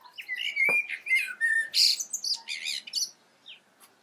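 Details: Common blackbird in voice, with rich warbled whistles followed by thin, scratchy high twitters and a few short squeaks, delivered in a continuous jumbled phrase.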